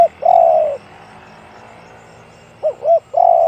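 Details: Spotted dove, 'one-kook, big voice' style, ends a long coo, pauses two seconds, then gives two short rising notes and another sustained coo against a noisy hum.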